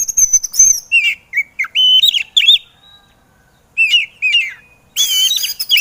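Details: Excited white-rumped shama, training recording for birds that are reluctant to sing: long varied flowing phrases of clear whistled slurs and trills, a pause, then more looping whistles and a harsh burst.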